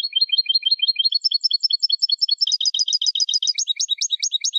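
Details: European goldfinch training song: a continuous varied twittering, with repeated paired chirps changing into higher, quicker phrases, without pause for over four seconds.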